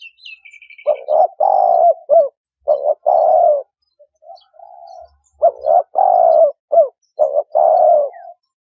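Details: Spotted dove calling, a recording meant as a lure for bird trapping: repeated cooing phrases of two short notes and a longer drawn-out, slightly falling coo, in groups separated by brief pauses, with a faint high chirp at the start.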